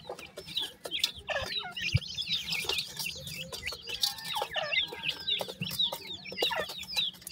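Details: Several grey francolin chicks give quick descending chirps in a dense, continuous stream, with occasional clicks and a faint low hum in the background.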